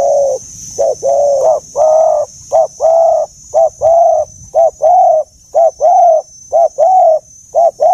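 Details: Rhythmic run of dove cooing in the deep giọng già rừng sát bổi voice. Short and long rounded notes alternate briskly, nearly one phrase per second, sustained throughout, with a steady high-pitched electronic tone underneath.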